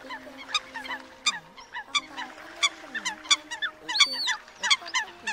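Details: Eurasian coot calls recorded for use as a lure in night netting during the 2022 migration: rapid sharp clipped notes repeating irregularly over layered overlapping calls and a low steady drone.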